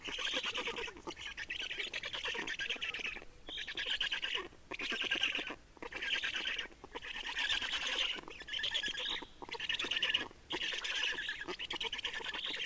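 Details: At an Estonian black stork nest during changeover and feeding, 30 May 2019 at 15:28: about nine wheezy, grating bursts, each around a second long, separated by brief silent gaps.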